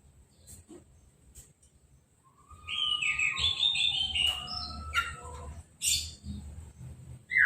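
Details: Orange-headed thrush in a cage, freshly moulted and bathed with a hose spray, uncovered: after a quiet start, a rapid run of varied whistled notes, some slurred and descending, with scattered sharp chirps and low background noise.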